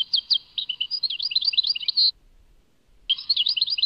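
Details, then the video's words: European goldfinch song, Tadmait: a rapid tinkling twitter of short high notes lasting about two seconds, a one-second pause, then the bright chattering phrase resumes. No other sounds. "Chant chardonneret Tadmait"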